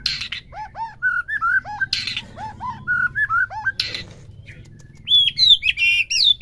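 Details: White-rumped shama recording played for a caged bird to answer: paired mellow whistled upslurs repeated, interrupted by harsh bursts, ending in high, sweet rippling whistles.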